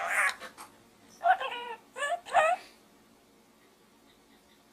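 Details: A budgerigar, Pedro, in a small gourd, chatters in short, warbling talking bursts with rapid up-and-down inflections, a few separate phrases over a quiet background.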